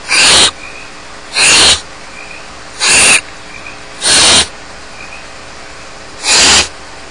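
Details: Harsh, breathy screeching hisses from barn owl chicks alone in their nest at Starr Ranch, five strong bursts roughly a second apart with a longer gap before the last, over a faint hum.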